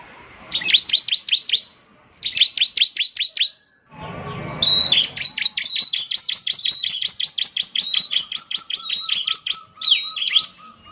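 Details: Bar-winged prinia song used to prompt a caged bird into singing, with fast trains of high, sharp chirps, then a long unbroken rattling series of repeated notes.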